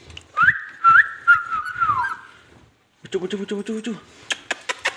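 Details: A pet ringneck parrot talking indoors. It gives a long wavering whistle with short upward flicks, goes quiet for a moment, then makes a buzzy, voice-like phrase followed by sharp clicks.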